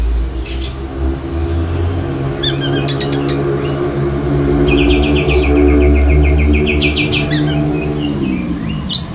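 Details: Black-breasted Oriental magpie-robin mimicking other birds such as lovebird: chips, clicking bursts and a fast, even trill of repeated notes, heard through a loud, steady low mechanical drone that fades at the end.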